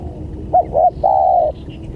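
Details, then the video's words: Spotted dove call used as a lure to attract other doves: two short soft coos followed by one long, steady, mellow coo, over a low rumbling background. "Suara Pancingan Tekukur"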